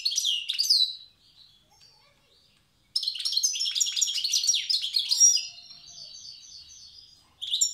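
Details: Wild European goldfinch from Tiaret singing in the old song style: bursts of bright, rapid twittering and tinkling notes, a pause, then a long jangling warble ending in a run of repeated thin buzzy notes.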